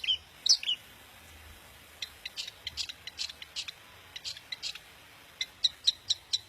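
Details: Long-tailed shrike, daput style, song intended to make other shrikes sing and get worked up: a few loud whistled slurs, a gap, scattered scratchy clicks, then a row of regular sharp high notes.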